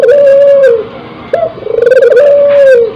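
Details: Hybrid tekukur and puter dove in breeding condition: long mellow coo ending in a downslur, a quick rising note, then a quavering roll merging into another sustained coo.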